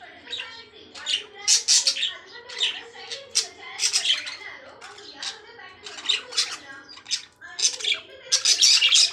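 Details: Lovebirds chattering with piercing, scratchy squawks packed in quick volleys, loudest near the start and end, with brief quieter gaps between bursts.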